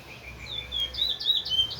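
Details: Large-billed seed finch used as a teacher bird, towa towa style song: soft, thin whistles that grow into louder, sharper downslurred notes in quick succession, with low background hum.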